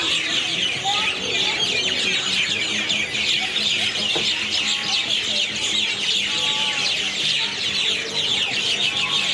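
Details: A loud nighttime chorus of birds in one tree in Airlie Beach, 2024: countless overlapping shrill chirps forming an unbroken wall of high chatter, with a few faint lower whistled notes beneath.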